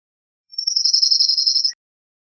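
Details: One short cirl bunting song phrase, a flat, rapid rattle of high notes just over a second long, clean with no other sounds.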